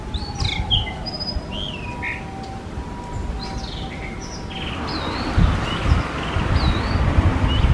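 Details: Blue rock thrush (Monticola solitarius), one of a pair carrying food to nestlings, sings clear, fluty whistled phrases that rise and fall with short pauses between them, over a steady low background rumble.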